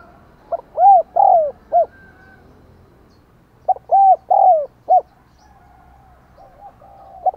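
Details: Decoy spotted dove in the Vietnamese 'đồng còi' voice style, cooing and calling to stir wild doves. Two deep, hollow four-note phrases about three seconds apart: a short coo, two longer arched coos, a short final coo, then faint soft cooing.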